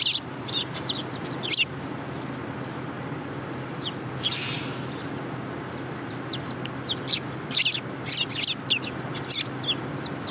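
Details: City sparrows coming to be fed, recorded 30 November 2015; short high chirps and twittering notes scattered through, some in quick bunches, with a brief hiss of noise midway and a steady low urban hum.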